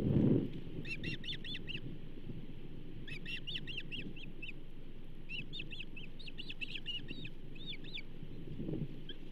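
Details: Osprey at the Charlo nest on 15 June 2024, during a fish delivery of a second bull trout ahead of night; bursts of rapid, high, sharp chirping notes in runs of four to six, over steady wind rumble.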